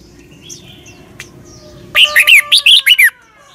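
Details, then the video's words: Doubled-style song of a red-whiskered bulbul, played so young birds copy it: faint distant chirps first, then a bright burst of six or seven looping whistled syllables lasting about a second. "เสียงนกกรงหัวจุก เบิ้ล แม่บทใต้ เพลง พยางค์ เสียงชัด ก๊อปติดง่าย"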